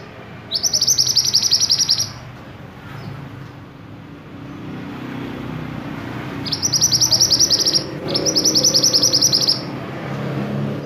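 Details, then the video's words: Silver-eye singing in lively, energetic form, used as a tutor song for other cage songbirds: three bursts of rapid, high, chattering notes, each about one and a half seconds long, separated by quieter pauses with low background hum. "burung mantenan gacor"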